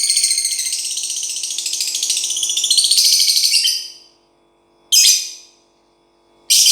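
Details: Lovebird living without a cage, producing a long, continuous, rattling high trill for about four seconds, followed by two separate harsh chirps.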